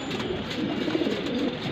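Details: Racing pigeons, four pairs kept in a loft in Mirpur, Dhaka, Bangladesh, giving low, wavering, throaty cooing over a dense hiss of background noise, in an indoor-sounding space.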